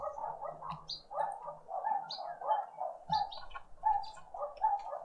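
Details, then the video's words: A family group of green woodhoopoes (Phoeniculus purpureus) keeps up continuous harsh, cackling chatter in rapid bursts on a noisy spring Sunday morning in a suburban garden with a bird feeder in Pretoria, South Africa. Other birds give thin higher chirps over a faint low hum. "Green woodhoopoe (Phoeniculus purpureus) out on a noisy spring Sunday morning family breakfast"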